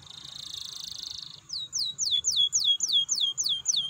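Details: Canary song meant to stimulate singing in other canaries: a buzzy rattling trill, then a regular series of about nine high downward-sweeping notes, roughly four per second.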